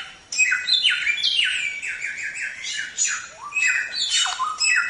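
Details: Loud, continuous gacor song of a Samyong (Chinese Hwamei) for training songbirds: fast chains of ringing downslurred whistles and abrupt high notes with no pauses.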